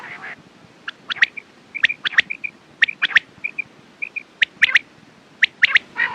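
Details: Quails repeat crisp, high clipped notes in twos and threes, interspersed with soft paired whistled pips, and a hoarse harmonic call at the very end.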